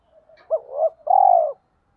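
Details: Low, mellow spotted dove coo used for luring wild doves: soft introductory murmurs, a swelling double note, then a short gap and a drawn-out, even coo that tapers off. No other sounds.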